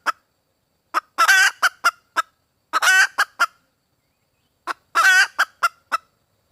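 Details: Hen red junglefowl calling for a mate: three bursts, each a long rough squawk framed by quick clucks, separated by silent gaps of about a second or more.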